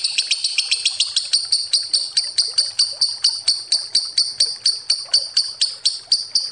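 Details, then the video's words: Lovebird ngekek lure trill, fast high pulses at first that ease to a steady beat of about four per second, clear and sharp. "Suara Lovebird ngekek panjang pancingan ampuh"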